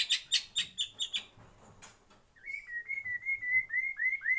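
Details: A white-rumped shama in a breeding aviary gives a quick series of ringing chips, then a pause and a drawn-out whistled phrase of slurred, repeated upswept notes.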